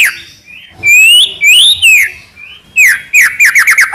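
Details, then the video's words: White-rumped shama tutor song with fill-ins: long rising and falling clear whistles, a soft level note, then a quick descending run of sharp whistled notes. "MASTERAN MEWAH MURAI BATU FULL ISIAN , SEKALI DENGAR AUTO NYAUT"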